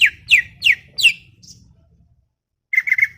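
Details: Greater green leafbird giving four loud, downslurred chirps about a third of a second apart, a brief silence, then a quick triple whistled note.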